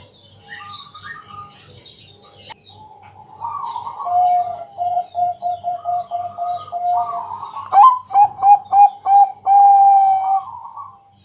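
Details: Singing at night to entice other doves into song, a Bangkok zebra dove gives trilled coos, then a long fast series of short coos. A few sharp clicks follow before louder rolling coos close the phrase.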